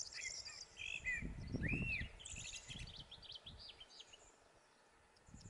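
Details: Corn bunting in the Gran Canaria midlands in May 2020 gives a dry, jangling run of high scratchy notes, preceded by a slurred whistle from another bird and low wind rumble.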